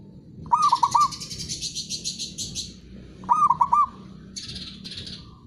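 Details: Local zebra dove cooing in two short bursts about three seconds apart. Each burst is three or four rapid, rolling low notes. Each is followed by a raspy, pulsed high trill from another bird, with a further trill near the end.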